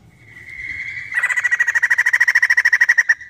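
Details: Scream of a female white-crested laughingthrush: a thin, steady whistled note lasting about a second breaks into a rapid, harsh, machine-gun rattle for roughly two seconds, then fades.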